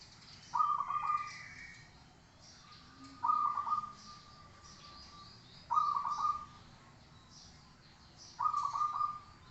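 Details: Zebra dove song for training other birds: four evenly spaced cooing phrases about every two and a half seconds, each a stuttering burst of soft notes stretching into a long level tone.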